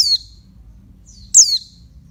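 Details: Two loud, high descending calls from a female oriental white-eye used to stimulate males, just over a second apart, each a thin note sweeping sharply down, with faint high chips between.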